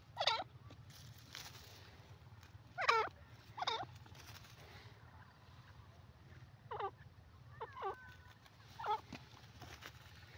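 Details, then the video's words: Grey francolin calling: loud ringing notes that swoop in pitch, repeated irregularly about every one to three seconds, some in quick pairs, over steady low rumbling background noise. "new pheasant ki awaz grey francolin bird sound"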